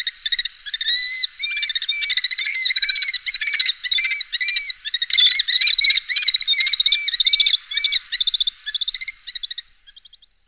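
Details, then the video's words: Calls of a Red-footed falcon recorded in 2021: a long series of high, harsh, ringing notes delivered in quick chattering bursts that slow and fade near the end. The falcon is the only clear sound. "Кобчик (голос)"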